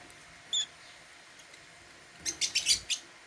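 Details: Caged African lovebirds at meal time, eating holy basil: one sharp high chirp early, then a quick run of five bright, high chirps near the end over a quiet background.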